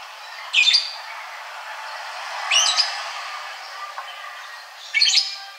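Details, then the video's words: Ashy drongo uttering three harsh, scratchy, high-pitched calls spaced about two seconds apart, with faint soft notes and low background hiss between them. "Srigunting Abu Abu Agar Rajin Bunyi"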